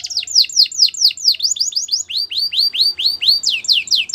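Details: Belgian canary singing a steady, rhythmic series of loud downslurred whistled sweeps, each repeated about three times a second, clear and high-pitched throughout.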